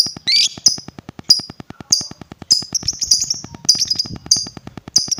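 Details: Lovebird sound used to provoke other lovebirds: a harsh opening screech followed by crisp, high chirps about every half second, some doubled, over a steady ticking beat.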